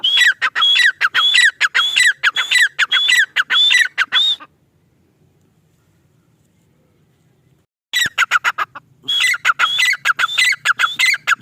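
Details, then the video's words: A male grey francolin repeats loud whistled phrases with falling lower notes at a quick pace. A long quiet pause with faint hum separates two bursts of this calling. "Teetar ki awaaz | teetar sound | teetar ki boli | male tetar sound"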